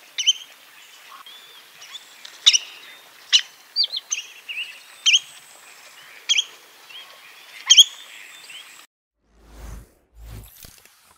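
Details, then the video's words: Spotted redshank (Tringa erythropus) giving sharp, high whistled notes at an uneven pace over a bed of softer chirps, ending with a few low thumps. "صوت حمراء ساق رقطاء Spotted Redshank sound"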